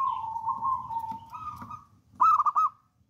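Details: Local wild-type zebra dove, described as a bold, eager singer, gives a long, even, rolling coo, then after a short pause a louder burst of quick stuttering trilled notes; faint low rumble behind.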